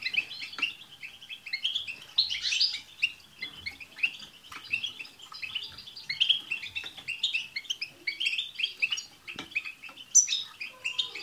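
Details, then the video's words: A chorus of European goldfinches, played to coax a pet goldfinch into song, gives continuous bright twittering, liquid chirps and rapid trills that overlap without pause, with occasional thin, high tss notes. "بتبتة حسون جماعية رهيييبة مع تستسات تجعل حسونك يغرد في دقيقة"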